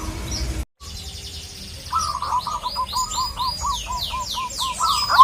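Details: After a short gap, a native zebra dove calls a rival with a steady chain of clipped cooing notes while several other birds give sweeping, slurred chirps above.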